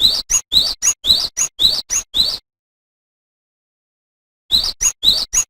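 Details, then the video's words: Cinereous tit (gelatik batu) singing loudly and persistently as a training master recording: bright two-note phrases, a short rising slurred note then a higher thin note, repeated about twice a second, then a pause and the phrase resumes. "Suara Burung GELATIK BATU Gacor"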